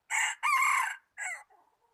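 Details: Decoy red junglefowl crowing, 26 January 2019. A short opening burst is followed by a long, raspy sustained note and a brief closing note, all loud against a quiet background, with weak sounds after.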